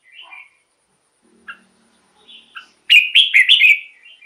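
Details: Red-whiskered bulbul song, a recording meant as a decoy or to excite caged bulbuls: a few soft, scattered whistled notes, then a loud burst of rapid, rich warbled notes lasting under a second.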